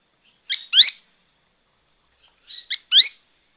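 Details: Azara's spinetail (Synallaxis azarae) at Alto San Miguel gives two sharp, nasal calls about two and a half seconds apart, each a quick clipped note then a rising buzzy one, against a quiet background.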